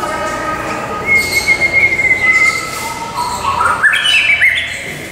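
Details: White-rumped shama performing at Tulsa Zoo on 14 May 2017, singing a sustained clear whistle, then a rising run of rich, fluty notes ending in quick slurred phrases; faint background hum.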